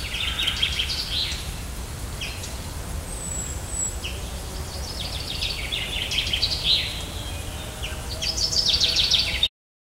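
Common chaffinch singing bright, tumbling phrases of rapid high notes, repeated every few seconds over a steady low rumble of distant traffic.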